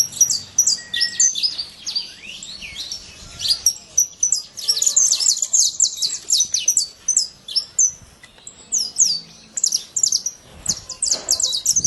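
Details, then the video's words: Saffron finch singing in the wild: dense bursts of sharp, high chirps and slurred notes tumble together almost without pause, broken by brief gaps. "Canário da terra livre na natureza"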